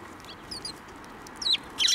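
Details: Several sparrows flying in to be fed at a Tenmangu shrine on 19 April 2024, on the way somewhere, giving short, high, sharp chirps: two quick notes early, then a louder cluster of chirps at the end over steady hiss.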